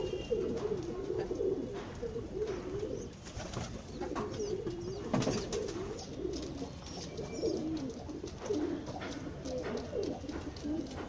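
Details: Pigeons at lunch time give continuous low, burbling coos, one rolling phrase after another with little pause, over a background of light tapping and scattered clicks.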